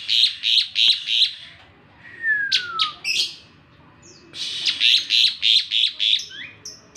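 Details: In morning song, an Asian pied starling delivers rhythmic harsh buzzy bursts about three per second, a smooth descending whistle with grating notes, then another long series of rasping bursts.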